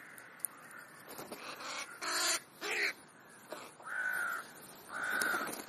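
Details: Crows feeding at a late-morning snack give harsh caws, a few short rough ones followed by two longer, drawn-out nasal caws in a quiet setting.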